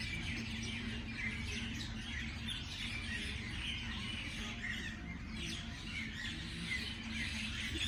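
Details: Several birds chirping in the morning, a dense chorus of short, high overlapping chirps and tweets without pause, over a steady low rumble of background noise.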